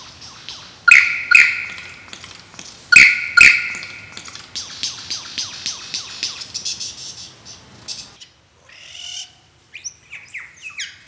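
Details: A male lyrebird performing its mating dance pours out loud, piercing whistled phrases in pairs, then a rapid run of softer repeated ticking notes, a brief silence, and closing chattery fragments.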